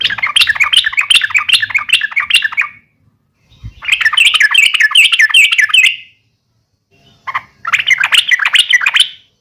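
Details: Yellow-vented bulbul fighting call (uplik tarung), used to provoke other bulbuls into answering: three bursts of fast, bubbly chattering notes, about two and a half per second, separated by short silences.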